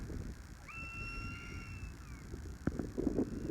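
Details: Crested serpent eagle, a Special Natural Monument, calling in flight on Iriomote Island in February: one long clear whistled note, held level and easing slightly downward, over steady rustling background noise and a few knocks.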